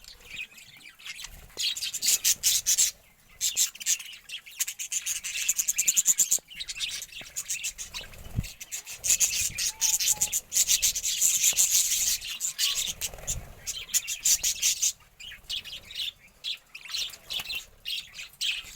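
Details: Budgerigars bathing give rapid, scratchy high chirps and warbles, mixed with splashing and rustling.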